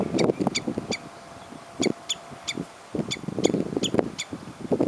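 Common redshank giving high, ringing notes in groups of three, repeated about every two seconds, over louder, harsh lower calls from other birds.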